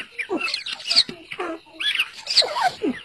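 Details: Squeaky partridge chirps as chicks scuffle together, a rapid irregular series of thin rising and falling notes mixed with rougher squawks over about three seconds.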